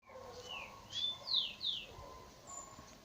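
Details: Chestnut-bellied seed finch at dawn, singing in the style known as trinca bico de veludo: a few clear, slurred whistles, some rising and some falling, given in a short burst, with faint low background hum.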